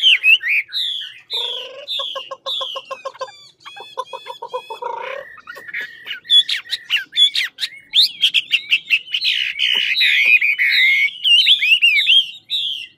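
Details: Chinese hwamei, Lạng Sơn, Vietnam, singing in fighting song: falling whistled phrases, then low rattling trills, then a long run of loud varied whistles, chatter and sharp clicks.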